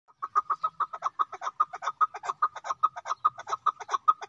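Chukar partridge giving a rapid run of harsh, clucking chuk notes, about five per second, steady and slightly rasping, with nothing else audible.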